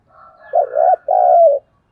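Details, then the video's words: Lure spotted dove calling to provoke wild doves: a soft, raspy lead-in, then two mellow, resonant coos, the second long and gently falling, with a faint higher buzz above. "Tiếng cu gáy hay nhất/ Tiếng cu mồi thúc bổi và gáy gọi"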